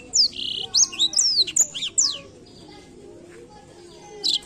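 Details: Blackthroat singing, a recording meant to encourage other birds to sing: about two seconds of rapid, high, sweeping whistles and chirps, a quiet gap, then a brief renewed burst at the end.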